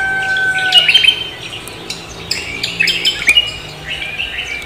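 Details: After a brief long crowing tone in the background, a Javan green magpie gives repeated squeaky, shrill whistle bursts at irregular intervals during the morning.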